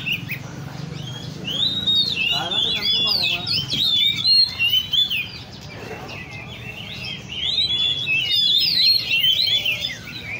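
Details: Hobbyists' caged Oriental magpie-robins at the Le Thi Riêng park bird cafe sing in bursts of rich, jumbled whistles, pausing briefly mid-clip before resuming, with talking in the background.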